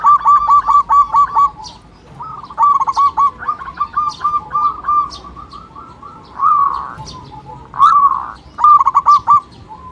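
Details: Local zebra dove call, played to stimulate other birds to call: short bursts of quick, rhythmic cooing notes in groups of five or six, repeated roughly every two seconds, with a couple of longer rolling, slurred coos near the end.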